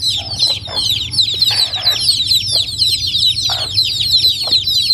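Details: A crowd of baby chickens at Noldang village peeping nonstop, each call a short high downward chirp, forming a steady shrill wash, with occasional soft clucks and scratching noises below.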